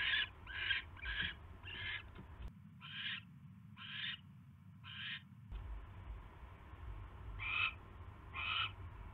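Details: Barn owl at the nest as a mouse is delivered, January 2016 evening; clusters of short harsh hissing bursts with pauses between, while the background hum switches on and off.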